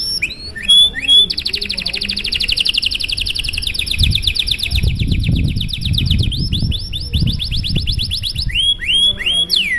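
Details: Canary in long, elaborate song meant to prompt other canaries to sing: high rapid trills of repeated notes, shifting into faster rolls, with sweeping whistles at start and end, over low background rumble.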